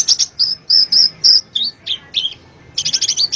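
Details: Brown-throated sunbird (kolibri ninja) gacor song for cage-bird training: a few drawn-out high whistled notes, dipping squeaky phrases, then a fast burst of sharp chips.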